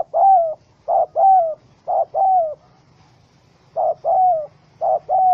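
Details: Trapped wild spotted dove, angry, caught with a small rope on 04/07/2017: paired low coos, a short note followed by a longer falling one, about one pair per second, interrupted by a silent gap of roughly a second.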